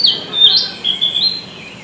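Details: A male Narcissus flycatcher in Tokyo, Japan, in June 2019 sings one clear, high, whistled phrase that slurs up and down, with a brief rise partway through.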